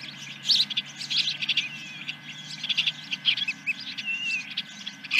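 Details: Nesting osprey at Dunrovin Ranch, morning of 10 July 2021, first fish: busy high chirps and thin whistled slurs in irregular bursts, with a faint low rumble throughout.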